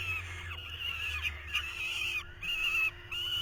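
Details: Falcon nestlings in 2023, with the male at the nest trying to feed them, utter rough, wavering screeches that rise and fall, broken by two short silences.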